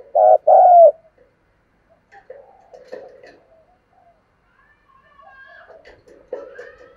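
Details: Cooing of a spotted dove, played to make a decoy bird call back. One loud, low double coo opens: a short note, then a longer wavering one. Faint scattered chirps and soft clicks follow.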